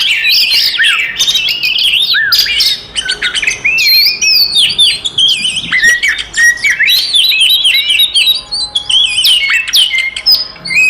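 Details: Oriental magpie-robin giving a provocative fighting song aimed at rival magpie-robins: a long, rich outpouring of sharp whistles, quick trills, scratchy squawks and sweeping slurs, dense and varied throughout with only short breaks.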